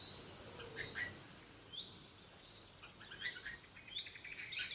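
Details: In a home garden, a red-vented bulbul feeds its chicks. There is a rapid trill of high notes at the start, then a series of brief rising squeaks and lower clipped chirps spaced irregularly.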